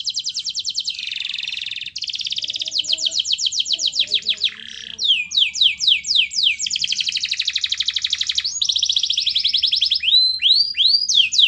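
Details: Canary singing a master song to set other canaries singing: a continuous, loud, high-pitched chain of fast trills and sweeping downward notes, changing phrase every second or two.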